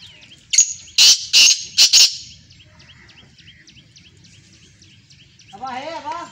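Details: Black francolin giving a loud, harsh, grating burst of several rasping notes, then a run of soft repeated chirps and a warbling call from another bird.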